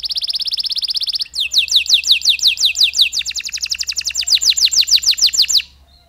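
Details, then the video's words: Canary's long song with pauses, used to draw out other canaries: a high buzzy rolling trill, a short break, then a rapid run of down-slurred whistled notes that ends in sudden silence. "PANCINGAN KENARI STRES, KENARI GACOR PANJANG DENGAN JEDA"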